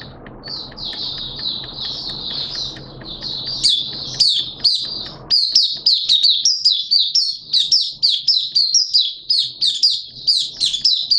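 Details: Caged Malaysian oriental white-eye singing openly, kept by bird hobbyists: starts with soft fast twittering over a low hum, then bursts into loud, rapid, high sweet chirps and warbles repeated in quick succession.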